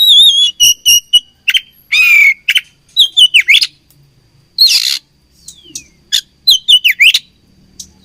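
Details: Fighting oriental magpie-robin from Indonesia pouring out fast trilled whistles, a long harsh buzzy slur, scratchy rasps and swooping whistled notes, with brief quiet gaps between bursts.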